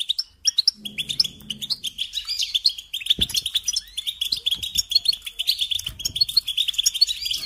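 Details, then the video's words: European goldfinch song for tutoring young birds: a long, nearly continuous run of fast twittering and tinkling notes with buzzy trills, rising in density after the first seconds, with a soft low background hum. "Teaching Singing Lessons Through Goldfinch Motives"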